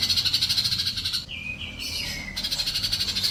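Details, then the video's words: Sunbird song used as a master recording for training pet birds to sing: rapid buzzy chirps repeated about three times a second, broken midway by long smooth whistled notes that slide gently downward. "bird Paling Gacor colibri cocok utk masteran burung dirumah yg males bunyi"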